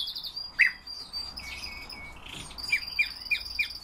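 European bee-eater giving short, rolling chirps, one alone and then four in quick succession about a third of a second apart, over a steady high insect buzz.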